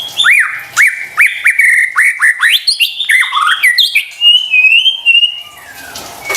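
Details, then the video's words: White-rumped shama song used to coax reluctant birds into singing: repeated upslurred whistles about every half second, then a mixed twittering phrase and a long thin high whistle. "PANCINGAN murai batu STRES dan MALAS BUNYI seketika LANGSUNG nyaut dan GACOR dengar suara INI"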